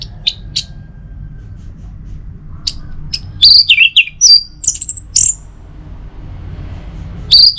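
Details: Morning song of an Orange-headed thrush, used to stimulate other birds into song: scattered soft chips, then a loud cluster of looping whistles and sharp high notes, one more burst at the end, with steady low background hum.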